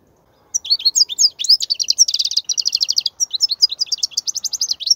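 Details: European goldfinch singing continuously for training young birds: a fast, lively stream of high twittering and buzzy trilled notes with quick repeated syllables, clean and without other sounds.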